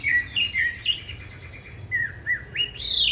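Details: Chinese hwamei, 'Lục Đậu Thanh' eye variety, in competition fighting song used for tutoring other birds toward a gentle style: spaced, liquid whistled slurs, a pause, then rising bright notes.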